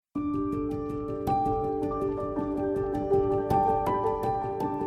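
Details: Calm ambient music of sustained tones and soft struck notes plays throughout, with no animal voice.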